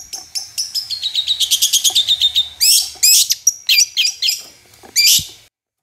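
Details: Long-tailed shrike in full song, played to coax other shrikes into singing: a rapid series of thin high chirps accelerating into a trill, followed by loud sweeping whistled notes and brief pauses.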